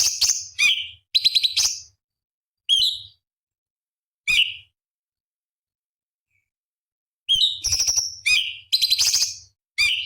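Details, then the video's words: Cucak cungkok bulbul song for training competition birds: short whistled slurs and buzzy chatters, a long silent pause, then a livelier run of mixed whistles and rasps. "Masteran Cucak Cungkok Istimewa ~ Isian Pedas Tajam Kasaran ~Tembakan Istimewa Masteran Burung Lomba"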